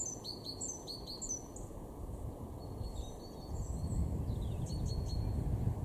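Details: Great tit in a garden at Weener, East Frisia, northwest Germany, March 2023: rapid two-note high phrases repeated several times in the first second and a half, then fainter further phrases, over steady low rumbling background noise.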